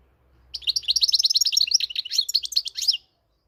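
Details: Moroccan goldfinch song: a dense, lively stream of high twittering and tinkling notes, sustained for about two and a half seconds against a quiet background.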